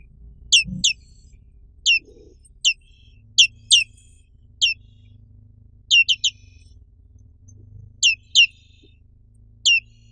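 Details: Black-capped white-eye, found only in Indonesia, uttering thin high notes that slide sharply downward, singly or in quick pairs and triplets at uneven intervals, against a soft low hum and an occasional thud.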